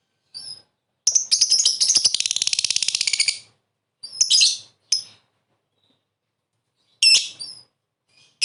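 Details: Calling lovebird used as a lure to draw answers: piercing high squeaks, then a long rapid rattling chatter lasting two seconds, followed by separate shrill bursts with gaps between.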